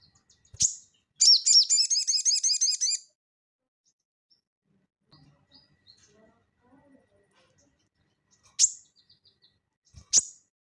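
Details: Crested jay singing in 'ngeleper' style, kept as a tutor recording for cage birds: a sharp high note, then a quick dry rattle of evenly repeated chattering notes lasting under two seconds, followed by quiet and two more sharp notes.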